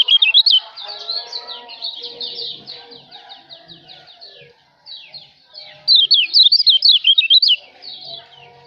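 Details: White-eye known as kecial lombok, recorded as tutoring song for cage birds: a short bright warble, a stretch of quieter rapid chatter, then a loud run of quick zigzag notes lasting nearly two seconds.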